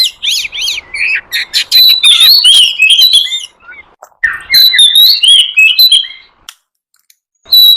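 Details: Lure recording of a wild forest oriental magpie-robin: dense, fast song of rising and falling whistles and sharp chips, broken by a brief pause, then another varied run before fading to silence.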